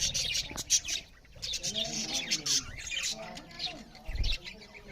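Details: Loud chirping from budgerigars as they eat: busy high twittering mixed with lower warbling, rising and falling tones, and a low thump near the end.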